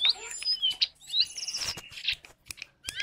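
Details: Lesser shortwing song in a brief burst of very high, thin whistles and quick twitters, with a few sharp clicking and tapping noises in between.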